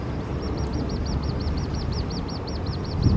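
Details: Little grebe chicks on the Tama River, Japan, 23 August 2024, give a steady run of thin, high peeps, roughly six a second, over a heavy low rumble of traffic.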